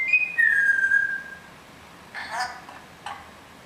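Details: Parrots tweeting: a clear whistled tone that slides down and holds steady for about a second, followed by two short, harsh, buzzy bursts with quiet gaps between them.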